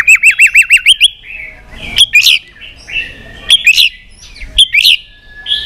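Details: Provocative fighting song of a white-rumped shama in many voices: a fast rolling trill of six looping whistles, then scattered sharp accented notes and short phrases with gaps between.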